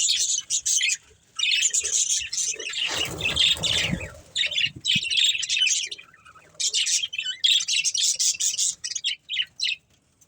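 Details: Breeding pair of budgerigars warbling in busy high chirps, interrupted midway by a brief rustling, fluttering noise before the chatter resumes in fast bursts.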